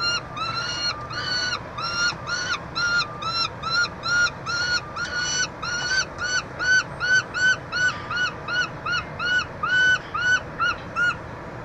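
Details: Peregrine falcon calls at a University of Montreal nestbox, Canada, on 22 June 2023 while a chick is fed: rapid series of short, harsh, rasping notes, about two per second, over a constant low hum.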